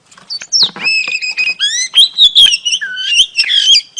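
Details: Female oriental magpie-robin calling to lure a male: clear sustained whistles with harmonics, rising and falling slides and short chips, delivered in a lively, varied sequence.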